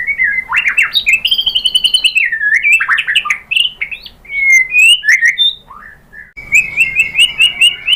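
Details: Murai batu, or white-rumped shama, in Indonesia, singing a lure song meant to provoke other birds into singing. Rich, fast, varied whistles and warbles sweep up and down, with a brief pause before a bright rolling phrase.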